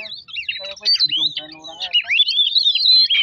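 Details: Oriental magpie-robin song played to rouse a rival bird. Bright whistled notes slur up and down continuously over a lower buzzy, harmonic-rich sound in the first half, then clear looping whistles alone.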